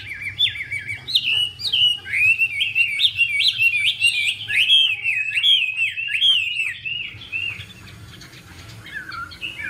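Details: A female hwamei, Garrulax canorus, in a spread-wing dance stimulating the male: rapid looping whistled notes tumble in quick succession for seven seconds, then drop to quieter scattered phrases over rushing background noise.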